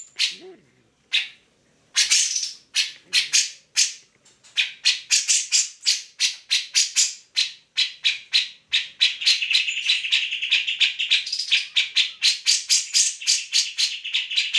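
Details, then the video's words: Grey-cheeked bulbul singing energetically as a model for other songbirds: scattered harsh notes at first, then building into a fast, insistent rasping chatter near four notes per second. "Cak Jenggot Gacor"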